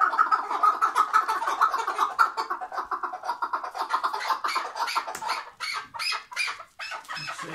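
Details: Tethered chukar partridge from Şırnak delivering loud rhythmic chattering calls, dense pulsed notes at first, then slowing into separate harsh clucks.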